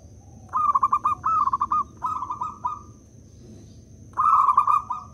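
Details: Local zebra dove, used as a lure to get other doves calling: three rapid, bubbly, stuttering coo phrases in quick succession, then a pause and one more rolling phrase, with a steady high electronic whine behind.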